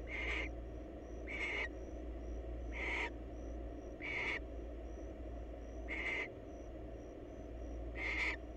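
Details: A wild barn owl at a monitored nest box in Israel gives harsh, hissing screeches about every second and a half while courting.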